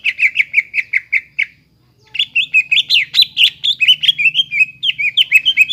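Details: Greater green leafbird singing to restart a silent bird: evenly spaced chirps, a brief pause, then a long varied run of warbled, slurred and buzzy notes.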